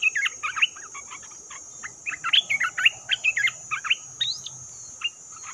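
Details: Trapping lure of an olive-winged bulbul: rapid sequences of liquid, bubbling notes in quick uneven bunches, with a few sharp upslurs near the end.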